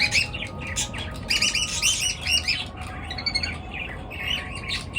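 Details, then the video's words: Morning bird chirping: a busy chorus of short, high, squeaky chirps and twitters in quick overlapping bursts, with steady low background hum. "পাখির কিচির মিচির ডাকে সকাল বেলার ঘুম ভাঙা"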